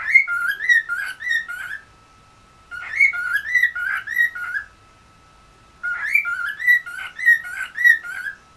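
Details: Indoor pet cockatiel from West Newton, Pennsylvania, practising its whistle: three runs of quick, repeated looping whistled notes, each run about two seconds long, with short pauses between them.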